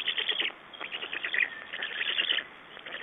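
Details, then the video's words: At a black stork nest in Estonia on 6 June 2011, during exchange and feeding, a near-continuous stream of raspy, stuttering pulsed calls runs through the whole stretch with little pause. "Black Storks nest Estonia - Exchange and feeding"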